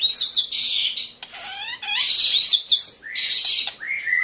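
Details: Female white-rumped shama, called a fighter, gives loud, high, buzzy phrases mixed with quick rising whistles and scratchy rattles. The varied bursts come almost without pause.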